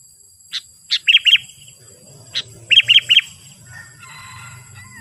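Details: Calling sooty-headed bulbul used as a lure to excite wild bulbuls: short sharp single notes alternate with pairs and triplets of rapid arched chirps, brief phrases separated by pauses, faint chatter late in the recording over a constant high whine.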